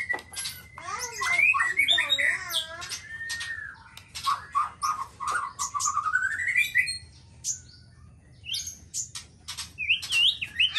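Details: Black-tailed White-rumped Shama of the Nias form sings a varied medley of sliding whistles, a long rising run of mellow notes and sharp clicks, while a man talks in Indonesian.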